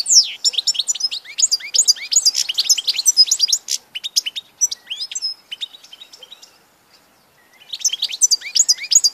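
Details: Goldfinch song from 16 March 2014, a long lively stream of quick chattering and tinkling notes with nasal twangs, thinning to scattered chirps before a fresh burst.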